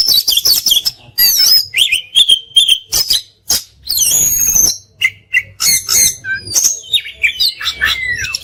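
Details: Oriental magpie-robin (kacer) song for masteran, full of fill-ins and shots. A busy, loud medley of harsh chatter, sweeping whistles and rapid notes plays over a faint low hum.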